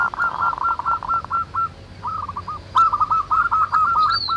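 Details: Local zebra doves singing busily in natural surroundings, fast clipped coos delivered in uneven runs, with a brief lull midway and a louder overlapping flurry toward the end; a thin high call near the close.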